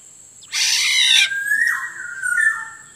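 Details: Black-naped oriole (Oriolus chinensis), used as a lure call, gives a harsh, nasal, rasping screech for under a second, followed by clear fluted whistles that step downward in pitch.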